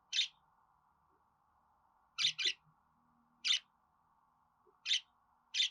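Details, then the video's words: Budgerigar making spaced, high, scratchy chirps, one doubled, separated by gaps of one to two seconds, with faint low background rustling and a steady hum. "Muhabbet Kuşu Ötme Garantili Kuş Sesi,Muhabbet Kuşu Sesi"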